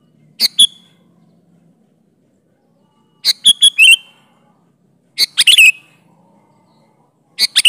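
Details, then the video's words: Sooty-headed bulbul singing lively with natural fill notes to lure bulbuls: four phrases of two to five quick notes, separated by short silences, several ending in whistled slurs. "Variasi Suara burung Kutilang Gacor Full isian Alam"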